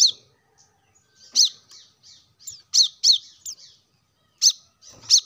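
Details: Kolibri kelapa, the plain-throated sunbird, giving scattered high, sharp chirps, some in quick pairs, amid soft twittering; the recording is meant to stir reluctant caged birds into song.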